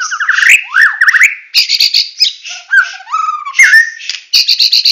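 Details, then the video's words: Medan-type white-rumped shama singing in full tembakan style, mixing bright rising whistles and chattering trills with high buzzy bursts and lower fluting notes, delivered in quick, varied phrases with short pauses. "Murai Batu Medan Full Tembakan"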